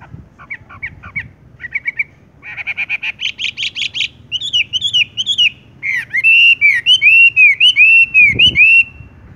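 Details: Horsfield's bush lark singing in a rolling style: clipped chirps, then a dense buzzy burst, then a run of bright looping whistled notes, rising and falling, in a quick varied sequence.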